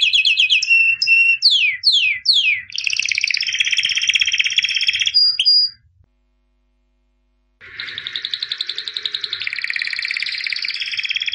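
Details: Champion albino white canary from 2017 in song: quick downward-slurred whistles, then a long buzzy roll. After a silent gap of about two seconds, a further extended rhythmic trill follows.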